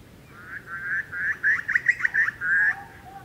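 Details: Australian bush recording of a Grey Butcherbird giving a rapid run of harsh, chattering notes, like manic laughter, ending with a single low fluty whistle.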